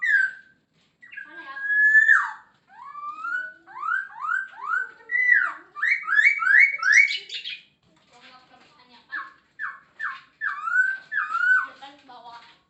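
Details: Masked laughingthrush in energetic 'gacor full isian' song: long run of clear whistled notes, some drawn out, others in rapid rising-falling series of three or four, ending with softer repeated whistles.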